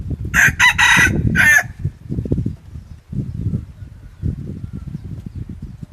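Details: Red junglefowl decoy cock, released to boast against other cocks and grow fierce, gives a choppy crow in broken bursts early on, then a low rumbling background continues.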